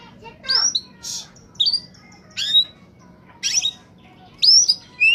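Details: Oriental magpie-robin in peak singing form, used as a lure for wild birds: loud separated phrases of sweeping whistles and harsh rasping notes, about one burst every second, over quiet background.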